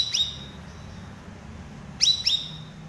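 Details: Cucak rawis cage bird in chattering 'cerewet gacor' style, used as a master for training silent birds: a sharp chirp near the start, then two quick high chirps with downward sweeps about two seconds later, over a low steady hum.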